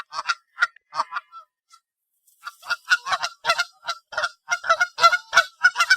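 Canada geese honking: loud, nasal honks, a few spaced singly at first, then several birds overlapping in a fast chorus of about three honks per second.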